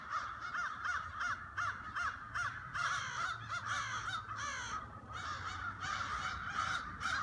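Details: Flock of crows in late autumn, harsh rasping caws given in quick runs of several calls, about two to three per second, overlapping from different birds, with a brief lull near the middle.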